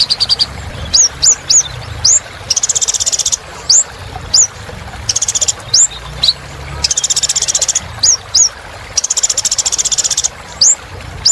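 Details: Vigorously singing kolibri ninja (little spiderhunter), used to prompt birds that stopped singing: steady series of rising high whistles in twos and threes, broken by recurring buzzy trill bursts.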